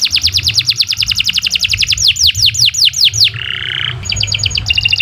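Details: Canary in long continuous song for training other birds: a run of rapid descending high notes, then sweeping slurred whistles, a brief buzzy tone and bright repeated trills.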